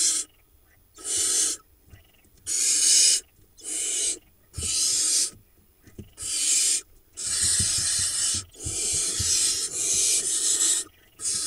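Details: Barn owl chicks, four nestlings hatched from early June, begging in an Israeli nest box in late June 2021 as the male feeds one a vole. Repeated loud, breathy hissing screeches with soft knocks between them.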